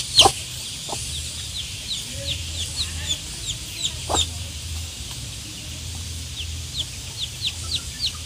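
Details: Peeping of one-day-old chicks: short high notes, falling and rising, scattered through the clip, with a few louder sharp peeps near the start and a steady low hum underneath.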